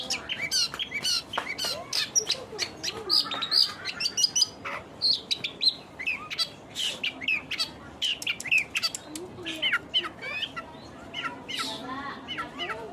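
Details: Lively long-tailed shrike song made of clipped high chips, sharp clicks and occasional short whistles, delivered in fast irregular bursts over about thirteen seconds with brief gaps.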